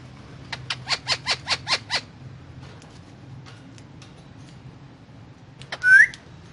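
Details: Indian ringneck parrot eating guava and talking: a quick run of seven short, buzzy pulses, a long quiet stretch with faint ticks, then one sharp, upward-sweeping whistled note over a steady low hum.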